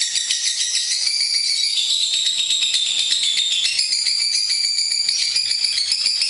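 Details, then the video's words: A lovebird gives a continuous, very high chattering trill, a dense rapid buzz with thin whistled tones that shift pitch twice, with no other sounds standing out. "SUARA BURUNG - Masteran Terbaik Love Bird"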